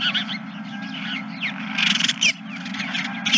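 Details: Many geese calling together on the night of 31 March 2023; dense overlapping honks and yelping notes form a noisy chorus with loud bursts near two seconds and at the end, low hum beneath.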